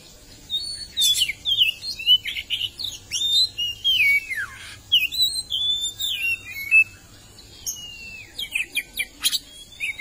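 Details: Oriental magpie-robin singing vigorously: varied sweet whistles, downward slurs and sharp ticking notes delivered in quick bursts, with short gaps between phrases and a quiet background.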